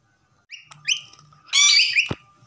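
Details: Pet common myna giving short harmonic whistles and a burst of rich, buzzy chattering notes, with a sharp tap near the end.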